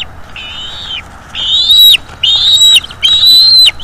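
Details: Eaglet of the Bald eagle, loud and close at a northeast Florida nest during an evening feeding, giving four long high whistled wails, each flat with a falling end, about one per second.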